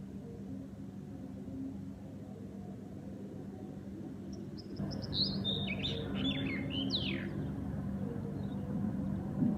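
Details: A bird singing at dawn during the Fajr prayer breaks in midway with quick, high warbled phrases and bright downward-sweeping whistles, heard over a steady low hum.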